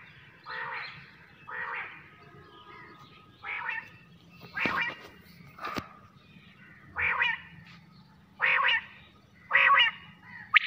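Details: Night quail calls: about nine harsh, buzzy notes in an uneven series over ten seconds, with a few sharp clicks.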